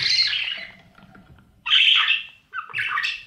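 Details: Budgerigar chicks in a nest box being fed by parents during breeding. A loud rasping squawk fades out, then after a pause come two more harsh, buzzy squawk bursts.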